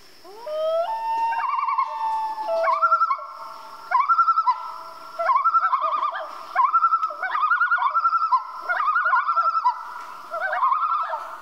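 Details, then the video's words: A common loon calling at night gives a long, rising, mournful wail that breaks into repeated warbling, yodel-like phrases about every one to two seconds, over a steady thin high hiss. "Loon Call At Night, Common Loon Call"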